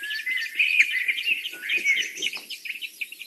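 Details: Osprey pair at the nest in the evening, a female in the nest as a male arrives carrying a fish. Rapid series of high, shrill chirping whistles, continuous throughout, with fainter chirps from other birds in the background.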